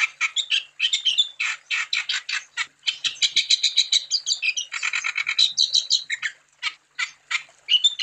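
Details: Lively wambi song meant to prompt other wambi birds into singing: a fast stream of dry, high chattering notes with brief trilled runs, pausing briefly near the end.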